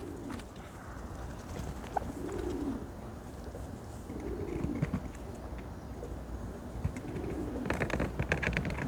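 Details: A dust-bathing turkey makes low, soft, rising-and-falling murmured notes about every two seconds, under a steady background hiss with a few scattered clicks.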